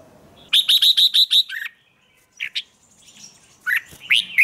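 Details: Morning training song of a red-whiskered bulbul in the chè style meant to provoke wild-caught birds. A fast string of six crisp, repeated chirps, a pause, then scattered bright warbled notes rising and falling.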